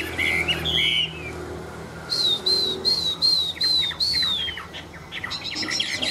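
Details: Tame Chinese hwamei in display singing a couple of slurred whistles, then a series of about seven clear high whistled notes in steady rhythm, followed by softer chattering, over a faint low hum.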